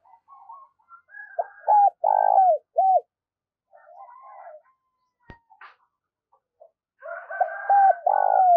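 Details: Decoy spotted dove cooing in quick bursts. Pairs of short hollow coos lead into a longer rolled coo, and the phrase is repeated later. Quieter cooing from other doves and a sharp click are heard between the phrases.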